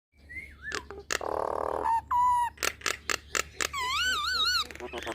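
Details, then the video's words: Nias hill myna in lively gacor song rich in varied fill: a falling whistle, a harsh buzzy burst, a steady low whistle, sharp clicks, then wavering rising-and-falling whistled notes over a faint low hum. "Jalak Nias Malas Bunyi Langsung Gacor Dengar Kicauan Jalak Nias Isian Mantap Ini"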